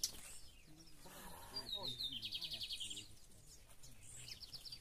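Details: Caged brown-plumaged lined seedeater holding the song style called torneado: a few high thin notes, then a rapid run of buzzy trilled notes, each slightly lower, for about a second and a half, over low murmuring voices and room noise.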